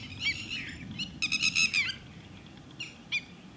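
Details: At Thol bird sanctuary, a red-wattled lapwing (Titodi) gives a few piercing, slightly slurred notes, then a fast run of five or six ringing calls, followed by two isolated sharp notes, over soft low rumble.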